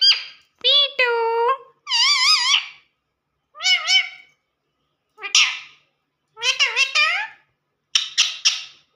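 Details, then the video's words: Pet talking parrot repeating words, asking for roti: a series of harmonic, wavering, nasal phrases with rising and falling inflections, separated by short pauses, about seven bursts in total, with no other sounds. "talking parrot"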